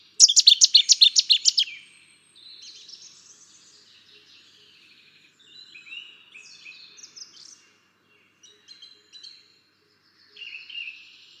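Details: A Cetti's warbler opens with one long explosive burst of about ten rapid, loud, high staccato notes. Quieter twittering and warbling from other birds fill the rest.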